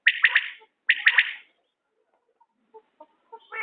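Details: Two crisp triple-note phrases from a common quail, close together, then quiet with a few faint soft pips and a rising rustle at the end.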